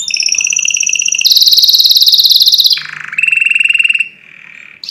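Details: Forceful canary song meant for other birds to hear: sustained fast rolling trills that step from high to even higher, then down to a lower buzzing roll, ending in a softer fading trill.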